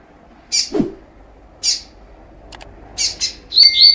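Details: Double-collared seedeater, a spirited bird, singing a training song: short, bright, buzzy note bursts high in pitch, spaced about a second apart, ending in a faster run of thin whistled notes. A brief low swooping sound is heard early on.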